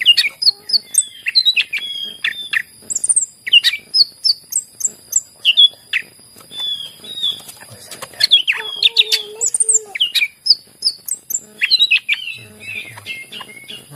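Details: Greater green leafbird song for coaxing quiet leafbirds into singing: a long, busy run of short chirps, whistled slurs and squeaky notes delivered almost continuously, with a few brief pauses and a steady faint high tone.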